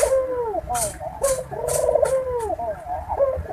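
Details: Mating call of a Barbary dove, played to hasten breeding condition in doves: continuous trilled cooing with rising and falling arcs, interrupted by several short hissing noises.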